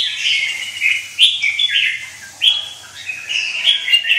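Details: Fired-up red-whiskered bulbul with white wing feathers delivering a continuous string of liquid, slurred whistles, rising and falling, with a few brief pauses between phrases.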